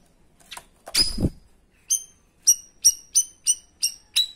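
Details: Shot-like 'tembakan' notes of a cream-striped bulbul, kept as a tutor for other birds: a rough noisy burst first, then a rapid, even series of seven piercing high notes about a third of a second apart.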